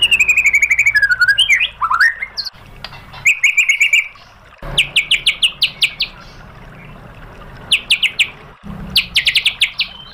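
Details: White-rumped shama lure song intended to make another bird respond. It begins with a rapid trill, then swooping whistles, then spaced bursts of sharp, high chattering notes in short clusters.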